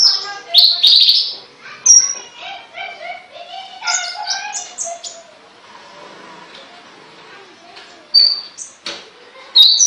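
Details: Caged songbird singing a varied run of bright chirps, short whistles and high tweets in quick bursts, with quieter gaps around the middle and fresh loud notes near the end.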